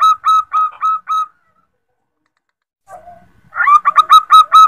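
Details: Calling female zebra dove summoning a male, meant for luring: short rapid coo pulses that trail off, a silent stretch, a soft low note, then another quick series of repeated cooing notes.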